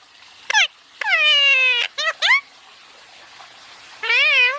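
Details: Indian ringneck parakeet basking and talking, giving high harmonic-rich squawky vocalisations: a short sharp note, a long drawn-out descending call, two quick rising chirps, then another sustained wavering call near the end.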